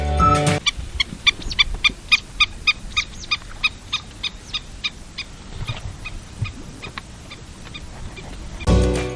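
A Black-tailed Godwit gives a fast run of about twenty nasal, clipped notes, roughly three or four a second, fading out. Music plays briefly before and after.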